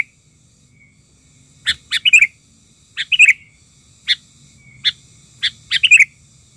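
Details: Sooty-headed bulbul, wild bird provoked by a lure bird during trapping, agitated: short clusters of bright, chirpy whistled notes at irregular intervals of about a second, against a quiet background.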